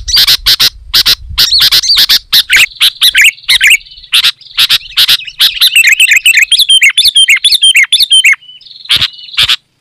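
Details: Loud, active Sooty-headed bulbul song used to attract wild birds: quick bursts of chirps lead into a long, tumbling warble of bubbly whistled notes, with harsh crackling clicks throughout.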